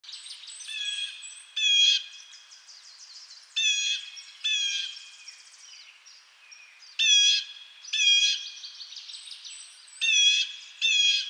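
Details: Blue jay giving loud, harsh, buzzy calls with a rasping, ringing tone, usually in pairs about a second apart, repeated several times over eleven seconds, with thin high whistles from other birds in the background.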